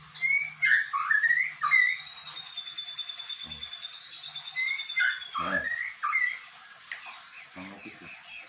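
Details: White-rumped shama singing with bar-winged prinia imitation: clear whistled notes that rise and slur, mixed with sharp high chips and a sustained thin tone, broken by brief low knocks.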